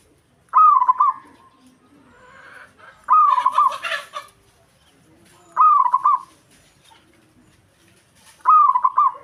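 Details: Local zebra dove, perkutut lokal, repeating its rolling, quavering cooed phrase about every two and a half seconds to provoke a rival and attract the opposite sex. A rustling noise is heard once.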